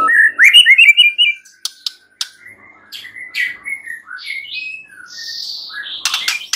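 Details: White-rumped shama song played to stir a silent shama into singing: a quick burst of bright chattering notes, then scattered soft whistles and slurred high notes, with sharp clicks at the end.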